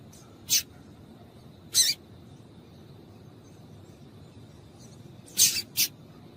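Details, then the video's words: Double-collared seedeater female calling to excite males kept by breeders for song tournaments; short piercing chips, two well spaced, then a quick closer pair near the end. "Piado de Fêmea de Papa capim para Esquentar Papacapim"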